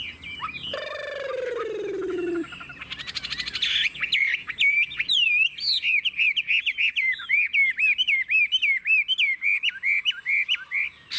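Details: A caged Chinese hwamei, described as a fast, even singer, opens with a harsh descending note and a burst of noise, then pours out rapid, evenly spaced whistled notes, around two each second.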